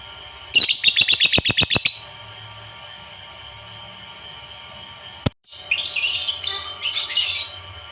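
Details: Lovebird calling to stimulate other lovebirds to sing: a rapid run of about ten sharp, clicking chirps, a pause, then a burst of dense high chattering twitter, with steady background hum.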